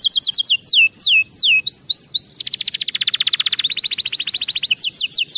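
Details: Canary song meant for training canaries to sing correctly: loud whistled notes sweeping steeply downward in quick series, then a long rapid even trill of about forty pulses, ending with more descending sweeps; faint low background hum.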